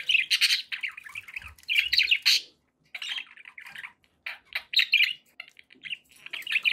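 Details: Pet budgies kept indoors, chattering in a busy warbled stream of chirps and scratchy squawks, bursts broken by short pauses, with a brief low thump near the middle.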